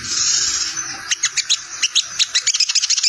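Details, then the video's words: Ngriwik chattering of a sogon, played as a lure to call wild birds: hissy high noise, then quick sharp high chips in a tight, irregular stream. "Suara sogon ngriwik untuk pancingan sogon bahan prospek"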